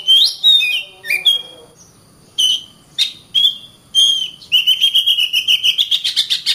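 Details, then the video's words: Oriental magpie-robin song used as a training recording for other songbirds: varied loud whistled phrases, some sliding down, then a fast run of sharp repeated notes near the end. "Burung Kacer"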